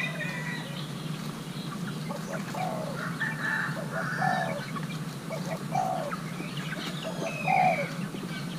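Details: Young male Thai hybrid spotted dove being paired, urged to show its playing style: low arched coos repeating about every one and a half seconds, mixed with rooster-like calls, higher chirps and a steady low hum.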